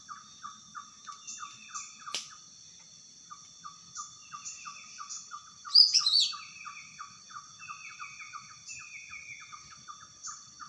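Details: Greater green leafbird singing energetically in the wild. Crisp short notes repeat steadily, roughly three per second, for most of the clip. A sudden loud, jumbled whistled flourish bursts in around six seconds against a constant faint high-pitched hum.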